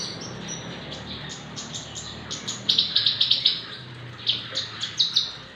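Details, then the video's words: Javan bush lark, six months old, singing strongly, kept for tutoring or for drawing out song in other birds: soft high notes at first, then clusters of rapid clicking chips in short bursts. "burung branjangan javanica usia 6 bulan gacor cocok untuk masteran atau pancingan"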